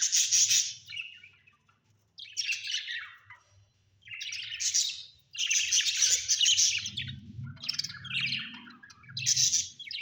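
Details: Domestic budgerigars chatter busily: repeated harsh, buzzy chirps and warbles come in phrases every second or two over ten seconds, with a faint low hum in the background.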